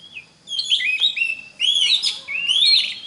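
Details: Oriental magpie-robin singing, offered as a model for young magpie-robins to learn from: a few quick, bright phrases of slurred whistles and rich overtone-laden notes, each lasting about a second.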